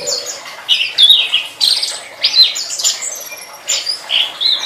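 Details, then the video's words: Master training recording of a tledekan singing: a rapid series of sharp, high, squeaky chirps and short slurred notes, several per second, with brief dips between bursts. "Suara Burung Tledekan"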